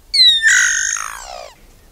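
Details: One loud harsh drawn-out call from the iraúna-de-bico-branco, rasping and slowly falling in pitch over about a second and a half.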